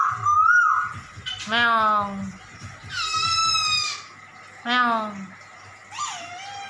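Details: Hong Kong poksay (black-throated laughingthrush) imitating a cat: a wavering whistle, then several descending meow-like harmonic wails spaced about a second apart, and a final bent whistled note, over a faint room hum.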